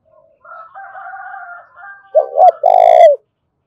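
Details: Spotted dove lure call in the thổ đồng style: a soft, drawn-out wavering sound, then one loud phrase of two short coos and a long, harsh, buzzy coo.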